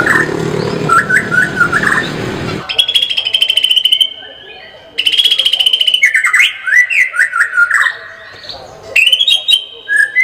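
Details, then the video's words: White-rumped shama in lively song with 'tembakan' bursts: noisy opening with short whistles, then sustained high trills broken by quick downward slurred notes and sharp high chips. "kicau murai batu gacor full tembakan"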